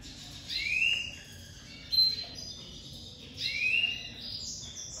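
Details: Pied crested domestic canary ('lavandeira de topete') out of moult, singing loudly: two long rising buzzy sweeps about three seconds apart, with a short high whistle between them.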